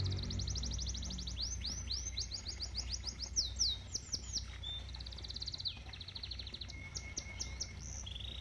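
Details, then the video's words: Canary singing beside a koi pond: rapid high rolling trills, then fast sweeping note series and brief steady whistles, changing pattern every second or two, with a soft low murmur of flowing water throughout. "Relaxing Canary Bird Singing"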